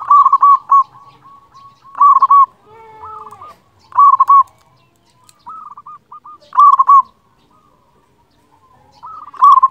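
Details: Loud local Zebra dove song meant to stimulate lazy doves to sing: rolling cooing bursts repeated roughly every two seconds, separated by quieter trilled coos, with one lower drawn-out note midway.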